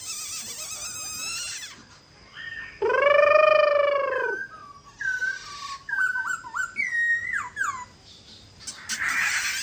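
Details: Silver-eared laughingthrush singing, a performance meant to stir other birds into song: a long nasal, harmonic drawn-out note, then rapid varied whistled slurs and rising and falling notes, with a hissing burst at the end.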